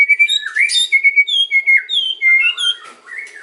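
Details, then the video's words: White-rumped shama song used to lure other birds: clear whistled notes around a steady pitch, then a run of rising and falling whistles and short high chirps. "KRETEKAN & OCEAN MURAI || MEMANCING BURUNG MURAI APAPUN LANGSUNG NYAUT"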